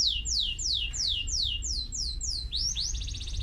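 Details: Canary singing a run of bright downward-slurred whistles at a steady pace, then switching to a rising note and a fast buzzy trill near the end, over low-frequency background rumble.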